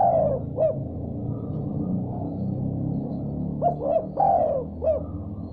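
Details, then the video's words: Spotted dove responding after hearing another call: one falling coo at the start, then a later phrase of short rising notes and a long descending coo, over a rumbling, music-like low background. "Tekukur Diam Seketika Langsung Respon Nyaut Gacor Setelah Dengar Suara Ini"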